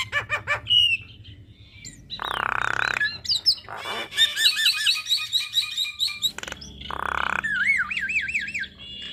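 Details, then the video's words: Javan myna song recorded to teach young mynas, delivered in a long rolling style: quick chips, two harsh hissing buzzes, wavering warbled whistles and a final series of looping, undulating whistled notes. "Masteran Jalak Kebo Makun Ngeroll Panjang"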